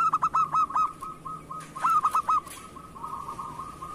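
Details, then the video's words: Local zebra dove singing steadily, kept as a lure bird: a quick run of clipped, resonant cooing notes, then a rolling, stuttering coo phrase, followed by a softer, fading trill of rapid coos. "Perkutut lokal gacor cocok untuk pancingan"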